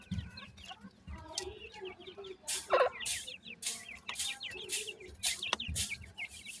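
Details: Several grey francolin chicks peeping steadily, with shrill, repeated downslurred cheeps and some lower notes, mixed with loud bursts of scratching or rustling noise.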